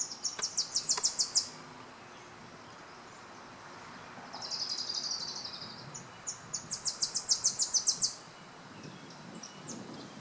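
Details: Possible Tennessee warbler singing near power lines: three separate bursts of very high notes, a fast staccato series, a softer buzzy stretch, then another quick run of sharp chips, over quiet outdoor background.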